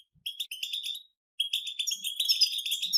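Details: European goldfinches in nature singing together in the chattering 'batbata' style: a dense burst of bright twittering and buzzy trills, a one-second pause, then overlapping fast chirps and rattles continuing steadily to the end.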